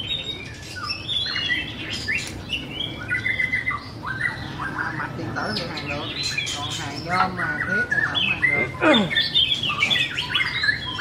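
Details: White-rumped shama pours out a long varied song: whistles, rattling trills and squawky notes, with a downward sweep near the end; low hum underneath.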